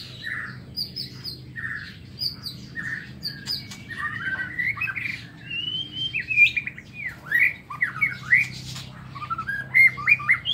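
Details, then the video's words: White-rumped shama singing in the morning inside an aviary: a lively run of clear whistled phrases, short rising and falling notes and quick slurred twists, interrupted by sharp clicks and taps, with a low background hum. "Tiếng Chích Chòe Lửa độc lạ hay- lồng avi nuôi chòe lửa"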